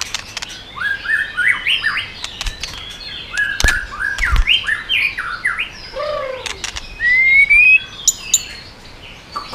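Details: White-rumped shama song in the 'yến reo' style, used to provoke other birds: a dense jumble of rising and falling whistled slurs with sharp clicks and taps, ending in a long rising whistle.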